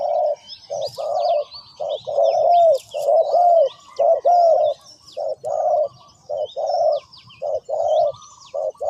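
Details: Long run of spotted dove calling: soft low coos in groups, short clipped notes alternating with drawn-out slightly downslurred ones, steady over several seconds while small birds chirp faintly in the distance.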